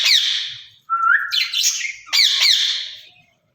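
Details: Two caged rose-ringed parakeets talking to each other: harsh broad squawks alternate with a clear rising whistled note, in three bursts separated by short pauses.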